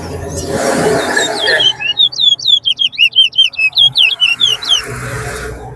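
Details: Chestnut-bellied seed finch (twa-twa) in a singing race at Rosehall, Guyana, gives a quick run of about fifteen clear, sharply inflected whistled notes over roughly three seconds, following a burst of rushing noise.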